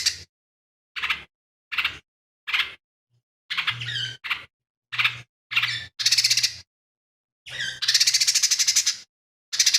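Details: Energetic lesser green leafbird song, filled with copied calls of fighting sparrows, kingfisher and cililin. Clipped sharp chips repeat about once a second, then longer harsh rattling trills and squawky notes follow.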